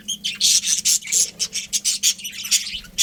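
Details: Chirping from a budgie colony: a fast run of loud, harsh, high chirps repeated several times a second, almost without pause, over a faint low hum.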